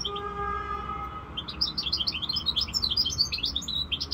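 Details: Five-month-old European goldfinch mule (hybrid) singing: after a second of low steady hum, a fast, bright, high twittering run of jumbled chirps and trills carries on without pause to the end.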